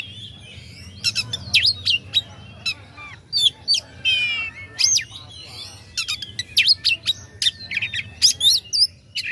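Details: Oriental magpie-robin (kacer) song used to provoke rival birds into singing: loud, varied phrases of sharp rising-falling whistles, fast chattering trills and buzzy notes, delivered in rapid bursts with brief pauses.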